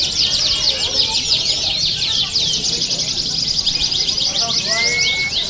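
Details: Canary song offered as training audio for contest birds: dense, rapid high trills and warbled rolls running continuously, with a brief steady whistled note near the end.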